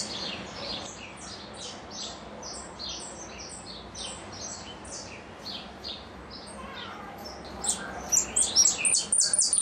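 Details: Goldfinch song in repique style. Softer high descending notes repeat steadily at first, then become louder, sharper and faster in the final seconds.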